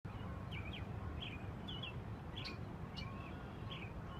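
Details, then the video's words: Wild birds calling outdoors just off Grand Avenue by the dam in Schofield, Wisconsin: short, thin chirped notes repeated about every half second over a steady low roar of rushing water. "Bird calls"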